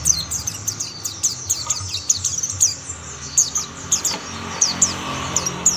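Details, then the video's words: Several mountain white-eyes singing together, the others joining in soon after; high, thin, rapid chirps and short downslurred whistles in quick bursts, with faint low rumble beneath. "Tidak butuh waktu lama pleci Monty lain pasti ikut bunyi"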